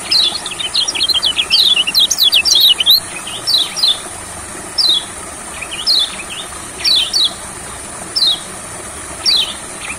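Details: Olive-backed sunbird in a rice field, recorded as singing therapy: a lively stream of high, thin zigzag twitters for about three seconds, then single and double falling notes at roughly one-second intervals.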